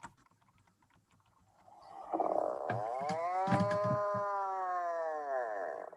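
An Atlantic Puffin gives a deep, drawn-out groaning call, like a low chainsaw, played back through a phone speaker, with a few handling clicks.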